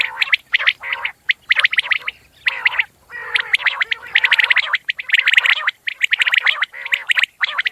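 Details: Common quail sounding in a long series of harsh, gurgling bursts laced with sharp high notes. The bursts are separated by short silences.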